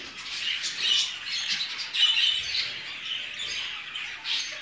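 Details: Show jumbo budgerigars in a breeding setup, a dense chorus of high chirps and scratchy squawks overlapping continuously, with louder bursts near one and two seconds.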